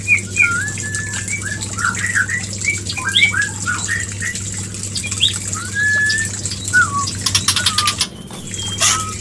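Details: White-rumped shama mating call meant to bring a hen into breeding condition: quick whistled slurs and chirpy notes in bursts, then longer drawn whistles, with a constant low hum and a short crackling noise near the end.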